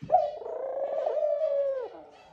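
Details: Male Eurasian collared dove calling the female to the nest as a courting pair sits on it: one long, drawn-out, moaning low note held for nearly two seconds, sliding slightly downward at the end.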